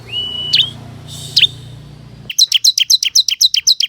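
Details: Ciblek kristal singing vigorously as a lure to draw wild forest ciblek into responding: a long flat whistle and two sharp downslurred notes, then a rapid, even series of high chipping notes.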